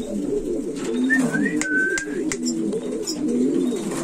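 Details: Buchón valenciano antiguo pigeon, a flight-selected breed, cooing in low, throbbing phrases almost without pause, while a thin whistled note rises and then holds steady midway, and scattered clicks and taps sound in an enclosed room.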